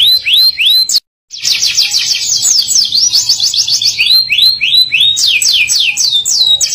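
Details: A caged canary sings a gacor ngerol nembak song. Upswept whistles lead into fast rolling trills of high, sweet notes, broken by one brief silent gap. Further rapid rising note series follow.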